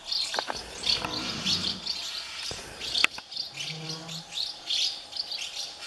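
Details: Many hungry common house martin chicks in a colony of thirty nests beg as parents feed them: a chorus of high, thin chirps and twitters bursting about every half second, with a low cow moo underneath.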